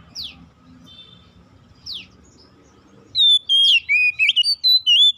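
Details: Trigger song of an oriental magpie-robin: after two soft descending sweeps, a lively burst of clear whistled notes, looping slides and short chips, with low hum underneath.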